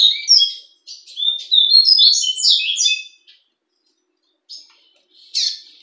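A double-collared seedeater sings a quick three-second burst of high, twittering, slurred notes, then adds a few sharp chips after a pause.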